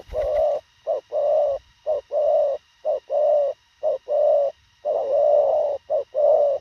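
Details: Thổ khàng spotted dove in a fast cooing display, short and concise: a quick run of low, hollow coos alternating brief clipped notes with longer held ones, about one phrase per second, in a quiet setting.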